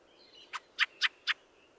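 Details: Fieldfare calling four loud, harsh chack notes in quick succession, about a quarter second apart, after a faint squeaky twitter, with low background hiss.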